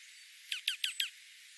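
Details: Winter dark-eyed juncos foraging in foothill oak woodland of the central Klamath Mountains, 1000 feet elevation; four crisp, bright downward-slurred chips spaced about a sixth of a second apart over a faint hissy background.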